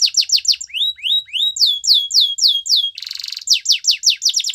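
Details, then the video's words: Canary song mixing falling whistled notes, rising slurs and a short buzzy roll, then fast repeated high notes. "All the canaries will sing along after hearing this canary chirp"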